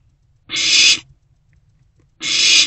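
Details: Owlet barn owl inside a nest box swallowing a freshly delivered rodent late at night; two loud rasping hisses, each roughly half a second, separated by over a second of quiet.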